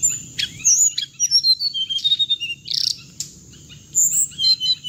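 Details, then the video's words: Hồng hạnh bird sound used to lure birds into traps by loudspeaker, with quick high chirps and short whistles in a busy run, one buzzy burst, a pause, then more whistled notes. "tiếng chim hồng hạnh âm thanh để bẫy loa"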